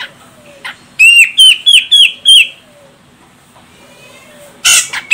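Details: Female grey-cheeked bulbul from Medan, Sumatra, used to stir a male into song: five quick whistled notes, each sweeping upward and then sliding down, followed by silence and one final harsh burst.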